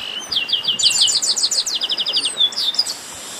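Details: Chestnut-capped blackbird commotion, a dense, quick stream of bright high chirps in rhythmic series, stacked voices rising into a busy flurry before ending on a short whistled note.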